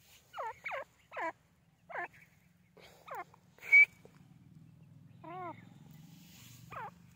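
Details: Grey francolin (teetar) calling: a run of short, hooked, down-slurred notes repeated roughly every half second, then one sharp, piercing note, a wavering harmonic call, and another hooked note over a low background hum.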